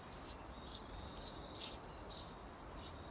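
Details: Parent Eurasian tree sparrows at a nest box prompting seventeen-day-old nestlings to fledge; a quick series of high chirps every half second, some paired, against soft hiss.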